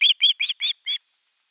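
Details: Osprey at nest camera 3, 10 August 2021, calling at length for fish before a whole fish is brought: five sharp whistled upslurred notes in quick series, then quiet.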